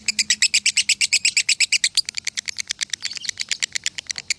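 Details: A Salatiga lovebird singing in the konslet style, which reached 8400 points, pours out loud, rapid, evenly spaced high chirps forming a continuous rattling chatter with a faint low hum beneath.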